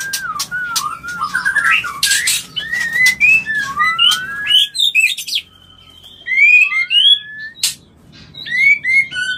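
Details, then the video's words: Mating call of a white-rumped shama, meant to arouse and prompt mating: rich whistled phrases and quick slurred notes, a brief near-silent pause midway, then clear separate rising whistles and sharp chirps over a faint low hum. "Bikin Birahi dan Kawin Murai - Suara Panggilan Kawin yang Paling di Suka Murai"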